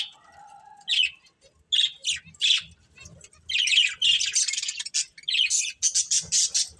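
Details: Budgerigars, a breeding pair, starting with a soft low whistle, then separate harsh chirps, building to continuous raspy chatter and quick scratchy squawks.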